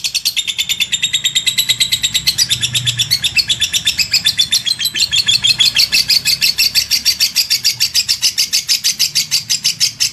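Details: Lovebird performing a long ngekek chatter, a sustained rattle of piercing high chips delivered around three each second for the full stretch, slightly uneven in spacing but never breaking off.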